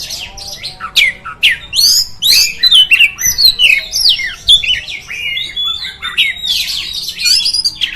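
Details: Oriental magpie-robin song used to provoke rival magpie-robins, a varied, fast stream of high whistled and scratchy notes with sharp upward and downward slurs, delivered continuously.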